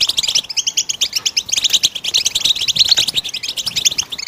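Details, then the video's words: Goldfinch song used to stimulate other birds to sing: a rapid, continuous twittering of short high notes and trills with brief buzzy bits, dense and lively throughout. "How do you make your bird goldfinch song in its first minute ?"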